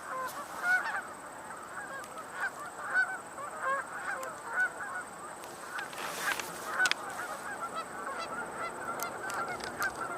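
A dense chorus of mallards quacking and calling over one another, with nasal, overlapping calls rising in bursts every few seconds against a steady background hum.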